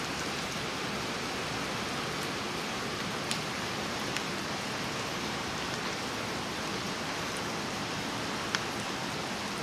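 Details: Steady rain hisses evenly throughout, broken only by a few sharp drip clicks, with no animal voice heard.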